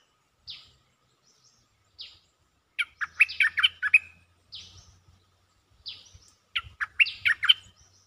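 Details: Cream-vented bulbul calling for a mate, with single high slurred notes alternating with two rapid runs of loud bubbly, gurgling chatter, each about a second long.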